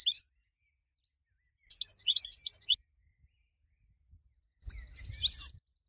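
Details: Goldfinch song from a winning bird used to train other birds: a brief high twitter, then a one-second burst of quick chirping phrases, a pause, and a short scratchy phrase with faint low thumps.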